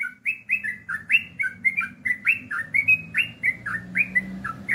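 A Yellow-vented Bulbul pours out a quick run of bubbly, liquid chirps, about four per second, over a low background hum.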